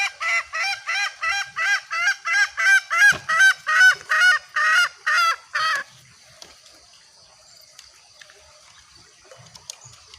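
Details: Green junglefowl, a female calling to draw males, used as a lure: about a dozen loud, clear, harmonic cackling notes in a fast steady series over six seconds, then quiet background.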